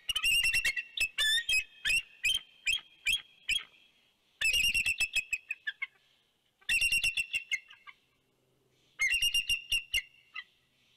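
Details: Two bald eagles at their Big Bear nest on 2 January 2019, calling out a warning at an intruder flying past. Four bursts of fast, shrill, staccato chattering, each starting loud and trailing off, separated by short silences.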